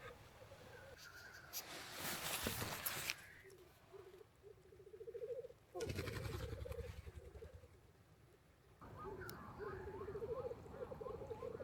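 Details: Black grouse calling at night near a tent in Skarvan and Roltdalen National Park, Norway, where they get strange at this time of year. Low, bubbling, rolling phrases are repeated, broken by loud rustling and handling noise.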